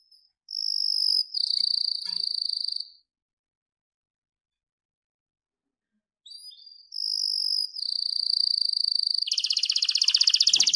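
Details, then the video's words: Captive-bred blorok white-rumped shama training song, clear-voiced. Two bouts of high sustained trilling whistles are separated by a long silence, and the clip closes with a loud, dense buzzing rattle. "Masteran Murai Batu Blorok Suara Jernih"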